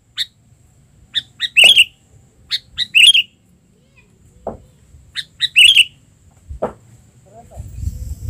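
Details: Albino sooty-headed bulbul used as a lure bird, out on a perch for the first time since its moult: short, bubbly, chirping phrases in loud bursts every second or so, with a few lower whistled notes and faint rumble.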